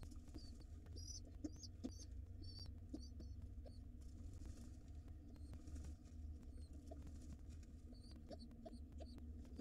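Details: Wild pigeon nestlings in a nest box being fed before it gets dark: clustered high, squeaky double peeps in the first few seconds, then scattered faint squeaks among soft scrapes and a steady low hum.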